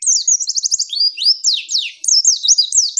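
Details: Female white-eye singing continuously as a tutor recording to start other birds singing: a fast trill of repeated high notes, then swooping slurred whistles and rapid zigzag chirps.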